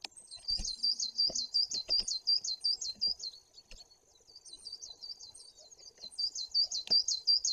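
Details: Great tit at a live forest camera in Bory Tucholskie, Poland, on 2 September 2022, appearing to talk to its watchers: shrill, high notes repeated about three times a second in steady runs, with a brief pause midway and occasional clicks.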